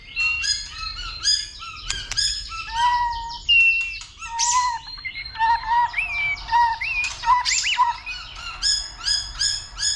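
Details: White-rumped shama giving fighting song, stimulated by a female, with continuous clicks and tail-flicking. Rich varied phrases of clear whistles, rising slurs and quick chattering notes, some high and bright, others lower and mellow, delivered almost without pause.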